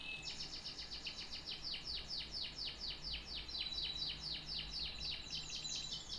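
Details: A canary sings a fast, regular trill of repeated downward-sweeping notes, roughly a dozen per second-long stretch, with a brief thin whistle near the start and faint hum underneath.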